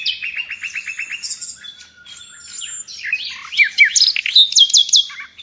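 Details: Nightingale in vigorous song, valued in Indonesia as a singing model for pet songbirds: a fast even series of repeated notes, a thin sustained whistle, then a tangle of chirps and bright rising notes in quick succession.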